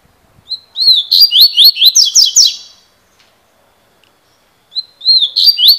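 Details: Coleiro, or Double-collared seedeater, a fibra bird singing in the cilada style: rapid bright whistled notes, repeatedly sweeping down and up, in a phrase near two seconds long. A pause follows, then the phrase starts again.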